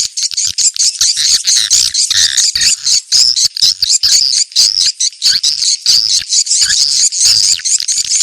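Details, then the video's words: A 'ceklok' swiftlet calling sound used to attract swiftlets and gauge a site for a nesting house. Many high, buzzy chirps overlap into a continuous shrill chatter, broken by quick stutters roughly twice a second. "Suara ceklok burung walet terbaik"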